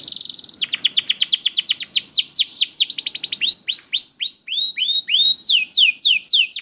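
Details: Young canary song for encouraging reluctant canaries: a rapid trill, then series of down-slurred whistles repeated about four per second, changing pitch from one run to the next.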